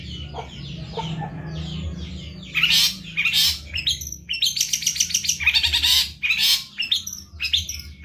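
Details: Long-tailed shrike, a masteran (tutor recording) of a very gacor cendet: after a quieter start, loud harsh chattering bursts and rapid buzzy trills mixed with scratchy notes, with a low steady hum underneath.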